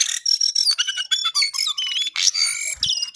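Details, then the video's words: Lesser shortwing (Jongkangan, Cingcoang coklat) singing very actively: a dense, rapid jumble of high, varied whistles and twittering notes with almost no pauses, sliding up and down. "Jongkangan/Cingcoang coklat paling gacor"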